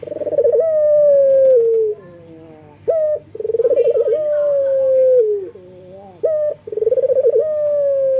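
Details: Male local collared dove (puter) in full breeding condition, calling to females: a short upslurred note, then a rapid stuttering pulsed coo that levels into a long sustained coo and sags at the end, repeated about three times.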